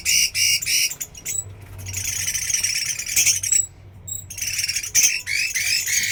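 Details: Hwamei pouring out fast, grating, repeated notes in uneven bursts, with short gaps broken by thin high whistles and a low background hum.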